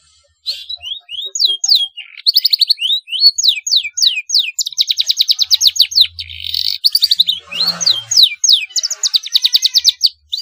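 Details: A young black-throated canary learning to sing gives a nonstop high warble of rapid trills, fast buzzy rattles and quick downslurred whistles, barely pausing throughout.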